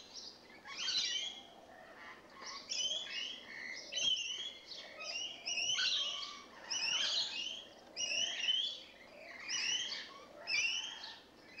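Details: Rainbow lorikeets that have just moved in, screeching and chattering; harsh, buzzy shrieks come in bursts about every second, several birds overlapping throughout.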